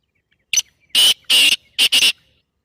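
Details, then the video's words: Black francolin calling, played to stir a pet partridge into calling. A short sharp click opens a loud rasping phrase of four harsh, buzzy notes, with the last two closely paired. "تیتر کی مستی بھری آواز"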